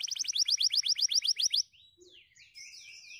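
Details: White canaries singing among dry stalks give about a dozen crisp repeated notes in under two seconds, then a few drawn-out sliding whistles.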